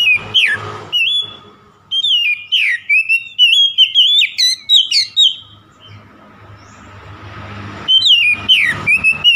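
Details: Rival-provoking song of an oriental magpie-robin: loud, varied whistled notes that rise and fall in quick bursts, then a pause of about two seconds, then another rapid burst of twisting phrases.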